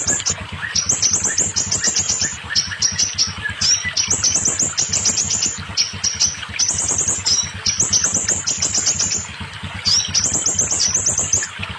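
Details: Scarlet minivet song, played to get newly caught, silent or molting birds singing: bursts of high, thin, rising notes in rapid strings, pausing briefly between runs, over a steady low pulsing beat.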